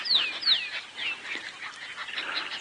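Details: Lilac-breasted rollers at sunrise, about 5 AM on 19 November 2017, in Djuma Game Reserve, Sabi Sand, South Africa, trade harsh rasping calls and sharp downslurred squeals in a noisy squabble; other birds call faintly.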